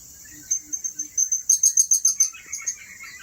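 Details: At Turipos, Tenom, a blue-crowned hanging parrot calls in a rapid series of about a dozen high, sharp, piercing tsit notes that speed up, then trail off into softer chirps, with a constant insect buzz behind.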